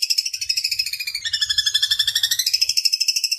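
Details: Harsh, rapidly pulsed chattering song from a long-tailed shrike training track of 'tembakan kasar' and 'gereja tarung' phrases, bright high notes shifting pitch midway, about three per second, unbroken throughout.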